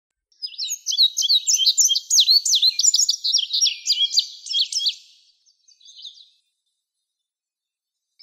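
An Indigo Bunting sings a bright, high, rapid series of paired sweet notes lasting about five seconds, then a brief faint phrase; otherwise quiet.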